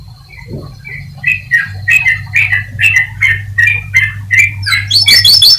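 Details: Atlantic canary singing to stimulate other canaries: a rhythmic series of short, similar chirped notes repeated about three per second, ending in a quick high trill; a steady low electrical hum runs behind.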